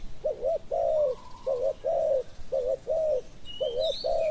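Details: Spotted dove giving repeated low coo phrases while decoying wild doves. Four even groups, each a two-humped note then a longer smooth coo, follow at a steady pace. Faint high bird calls come near the end.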